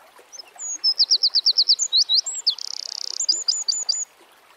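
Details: A Eurasian wren in nature delivers a piercing high song: brisk repeated notes, a sustained fast trill lasting about half a second, and a final burst of five quick chirps. Light ambient noise.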